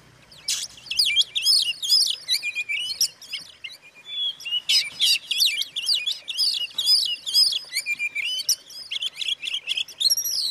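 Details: Oriental magpie-robin song used to provoke other magpie-robins: rapid, varied, high whistles and sharp chirps in continuous phrases, with quick rising and falling notes and occasional buzzy bursts, on a quiet background.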